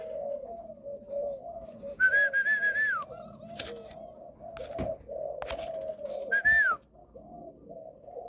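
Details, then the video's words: Malaysian-line spotted dove sire, caged, known for a stuttering start to its coo. Steady low coos roll on through the stretch, broken by clicks and knocks, while two high whistled notes glide up and fall away above them. "gù cà lăm 3 tiếng đầu"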